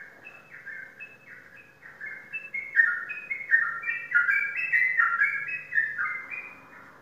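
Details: Contest-winning sooty-headed bulbul kept in a cage in Indonesia, delivering a string of clear whistled notes that alternate between higher and lower pitch and grow louder and faster midway.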